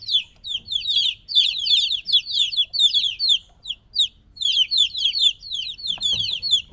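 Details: Three-week-old chicks separated from their mother, peeping loudly: a dense chorus of high, downslurred cheeps fired in rapid bursts with short pauses, and a faint low rumble underneath.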